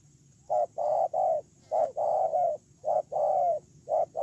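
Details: Spotted dove kept as a ground decoy, recorded 8 October 2018, giving low mellow coos: a short note followed by a longer drawn-out one, the pair repeated about once a second over a faint steady background hiss.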